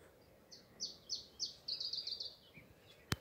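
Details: Probable Iberian chiffchaff, a likely overnight arrival singing around sunrise in June at Skagen, northern Denmark; spaced high notes speed into a fast rattling series, then stop, followed by a sharp click.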